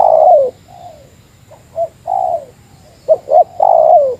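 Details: Rival-challenging spotted dove in meratus style: a long falling coo, quieter intermediate notes, then two sharp short hoots followed by a strong drawn-out coo.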